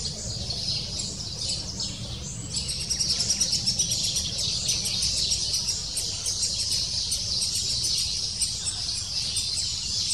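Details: Lesser spotted woodpecker nestling calling insistently to its parents, which come every few minutes to feed the young; the female brings food here. Continuous high-pitched, fast-pulsed chatter swells after the first few seconds and carries on steadily, with low rumbling beneath.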